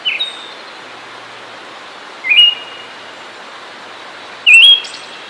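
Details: Siberian thrush singing: short whistled phrases that slide up in steps, each with a faint high buzzy trailing note. Three phrases come about two seconds apart over a steady hiss of background noise.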